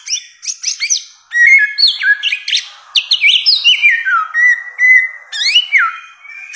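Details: Samyong, the bare-throated whistler of Nusa Tenggara, sings a rich varied sequence: quick high chips, then loud clear whistles sliding down in steps, with phrases repeating and overlapping.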